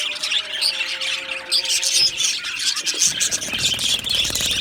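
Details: Budgies from an Australian aviary colony twitter and squawk continuously, with a thick overlapping mix of high chirps and a slightly louder burst after three seconds, over faint steady low tones.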